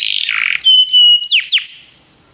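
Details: Brief canary song phrase for prompting a pet canary to sing: a buzzy warble, then a long steady high whistle and a few sharp downslurred notes before it fades out.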